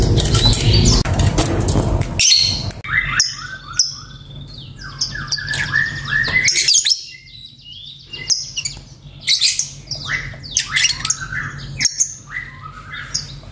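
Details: Lovebird chirping: rapid bursts of sharp, high chirps and squeaky twitters in irregular clusters, with a loud rumbling noise at the start and brief pauses between bursts.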